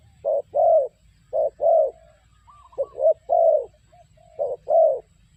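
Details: Decoy spotted dove for trapping gives four low cooing phrases, each a quick short coo then a drawn-out croo, evenly spaced, while soft thin whistles sound between them.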